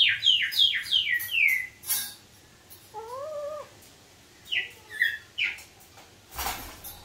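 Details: Caged Eleonora cockatoo, a subspecies of sulphur-crested cockatoo, calling hello after its cage door is opened: five quick, high, downward-sliding notes, then a wavering lower note, a few more falling notes, and a harsh burst at the end.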